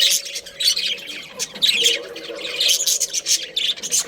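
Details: Budgerigars kept as a breeding pair, a budgie family, chattering in quick squeaky bursts of high scratchy warbles, roughly one burst per second.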